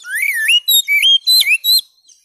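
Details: Oriental magpie-robin (kacer) song used to coax a silent bird back into song: loud, clear whistled notes sliding up and down in four quick phrases, then a faint trailing note.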